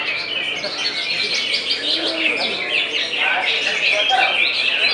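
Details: Contest-singing greater green leafbird (cucak ijo), described as consistent at prestigious events and always scoring full points; rapid, varied whistled phrases and trills that grow louder toward the end, with other birds and murmuring people behind.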